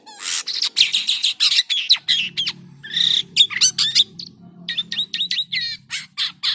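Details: Jalak kapas starling in full, unusual song, mixing raspy squawks with sharp sweeping whistles and chattering bursts of quick notes separated by brief pauses, over a low background hum.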